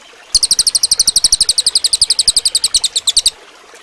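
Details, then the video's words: Cililin bird delivering a training song for other birds: a quick, steady volley of piercing, high chirps, close to ten per second, lasting about three seconds. "suara burung cililin bagus buat masteran"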